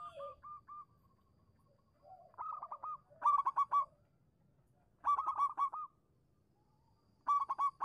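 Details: Zebra dove of the local strain, singing as a lure so other doves answer quickly. Repeated loud bursts of rapid, rolling coos every two seconds or so, with a few quieter clipped notes between.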